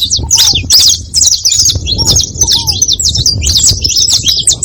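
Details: Several saffron finches together making noise: a dense, continuous chorus of high, overlapping chirps and quick twittering trills with no pause, plus a few short, lower upslurred notes and a steady low rumble underneath.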